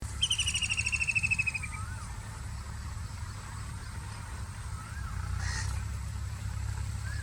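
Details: White-throated kingfisher giving one rapid, slightly descending chattering trill of about one and a half seconds. Soft, faint looping whistles from another bird follow, over a steady low rumble.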